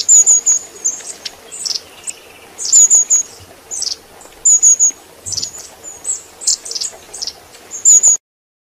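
Long-tailed tit giving very high, thin 'see-see-see' triplets roughly every second and a half, mixed with short, buzzy sputtering notes.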